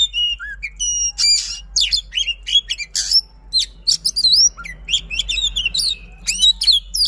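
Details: Rapid, nonstop Oriental magpie-robin song used as a lure to make silent kacer sing: crowded high chips, slurred whistles and trills in quick succession over a steady low hum.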